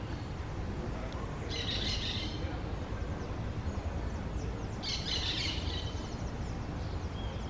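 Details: Green parakeets that have found their nest give two coarse, grating screeches about three seconds apart, set against steady low-pitched environmental rumble outdoors.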